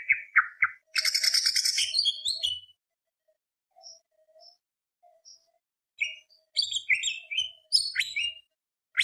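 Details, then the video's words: Greater green leafbird singing a full gacor song in the tembak beset long-roll style, meant to rouse other birds: loud chattering burst, then sparse high notes and a return to quick, varied whistled and buzzy phrases. "PANCINGAN CUCAK IJO BIAR EMOSI ~ CUCAK IJO GACOR FULL ISIAN ~ Tembak Beset Roll Panjang / Masteran"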